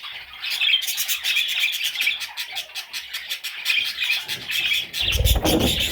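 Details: Parrot chicks produce nonstop high chirping and squeaky chatter; near the end a low rumbling noise rises underneath the calls.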